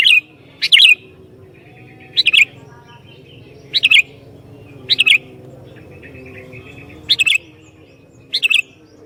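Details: Chatty sooty-headed bulbul whose song draws out other bulbuls. It gives about seven brisk, liquid, chirped phrases spaced one to two seconds apart, with soft twittering between them and a quiet low background hum.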